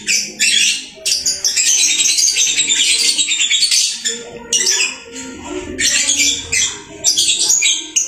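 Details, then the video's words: Lovebird kept as a pet and chirping busily: dense bursts of harsh, buzzy, high-pitched chatter run almost without pause, with brief gaps between bursts and a faint low background murmur. "Burung Lovebird rajin kicau"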